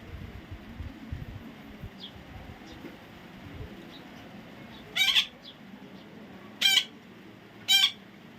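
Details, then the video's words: Soft faint calls, then three loud, harsh, buzzing squawks from a baby parrot about a second or more apart. "natural funny parrot sound"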